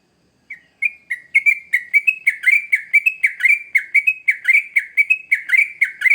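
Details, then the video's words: Sooty-headed bulbul song for luring young birds begins after brief silence: clean, repeated bright whistles with downward slurs, a phrase about every second, building in strength over six seconds against a quiet background. "Trucukan Gacor ngamuk Pancingan Terbaik Untuk Burung Paud"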